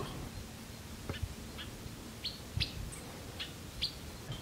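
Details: A Yellow-winged Blackbird (Agelasticus thilius), a wetland-dwelling bird that forms flocks, gives short, sharp high chips, about two each second, over a steady low rumble of wind or distant noise.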